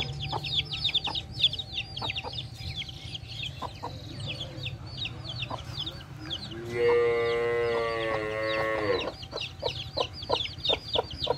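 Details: Baby chicks beside their mother hen, the chicks peeping in quick high chirps while the hen gives soft low clucks, then a sustained harmonic squawk for about two seconds before the peeping resumes.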